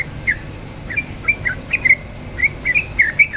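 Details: Yellow-vented bulbul, called trucukan, heard in a lure recording for prompting song: sparse, clear, whistled chirps, some paired, spaced irregularly over a faint hiss.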